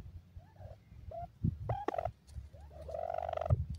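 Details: Dakhni (Iranian) francolin chicks in a happy mood: soft wavering whistled notes, some rising and some drawn out, mixed with low thumps and handling noise.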